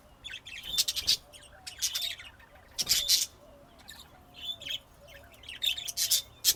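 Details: Pet budgerigars, Texas, USA, 2025: busy chirping and rasping warble throughout, loud bursts every second or so, over a soft low wavering whistle.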